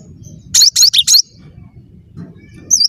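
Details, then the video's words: Cinereous tit (gelatik batu) in gacor song: one short burst of four sharp, high whistled notes, then a lone faint note near the end, with a steady low background hum. "Burung gelatik batu gacor"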